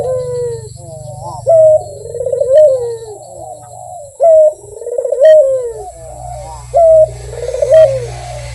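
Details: Actively cooing Barbary dove with sweet, repeated low coos. Each phrase opens with a short tone, rolls into a vibrating purr and then slides downward. Phrases come about every two to three seconds over a faint low hum.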